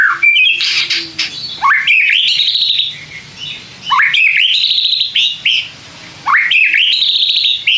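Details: White-rumped shama song for provoking other shamas to answer: loud phrases of steeply rising whistles followed by trilled high notes, repeated three times with short breaks.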